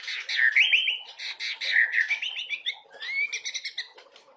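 Oriental magpie-robin singing a rich, varied run of clear whistles and quick slurred notes, phrases tumbling one after another with little pause.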